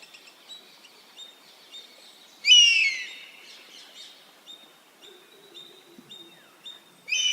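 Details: Oriental honey-buzzard in Rajasthan: one loud, high, drawn-out whistle slurring downward, with faint repeated short chirps and a thin steady high tone from other birds or insects behind it, then the start of a second whistle at the end.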